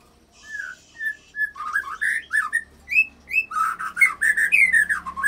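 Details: White-rumped shama song with cililin and canary fill phrases, intended to provoke rival shamas into singing; clear whistled notes grow into a quick, varied run of warbled, rising and falling phrases.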